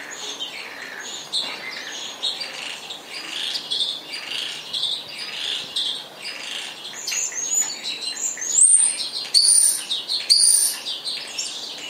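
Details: Spotless starling in a long, rambling song of scratchy chatter, clicks and buzzy phrases, building toward the end with sharp, very high, rising and falling whistles.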